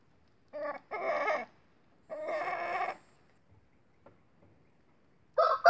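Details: Indio rooster, a game breed kept for breeding, giving a short-crow style call: two hoarse, harmonic bursts, then a longer rough one, and a fresh burst starting at the end, with faint knocks between.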